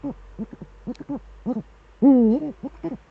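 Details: Eurasian eagle-owl pair dueting, male at the nest in the Eifel, December evening 2013: several short, paired pulsing notes lead into one long, loud, deep hoot with a slight waver, followed by a few more short notes.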